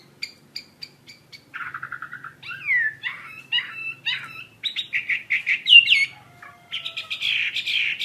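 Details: Varied song of a Chinese hwamei singing actively: spaced high pips, then a fast chattering trill, then swooping whistles and strong repeated notes, with the song growing louder and busier toward the end.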